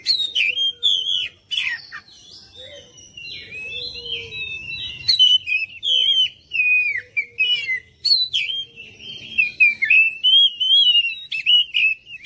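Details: Oriental magpie-robin singing, used to get other birds singing and responding: a long run of varied whistles, slurs and short chattering notes in rapid phrases, with a softer lower whistle in places.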